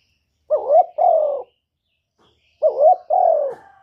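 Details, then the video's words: Male spotted dove calling to urge a hen to lay eggs, giving two soft, throaty coo phrases about two seconds apart, each a brief opening note followed by a rolling double coo, with near silence between. "Tiếng chim cu trống kích mái mau đẻ, cu gáy kích bổi"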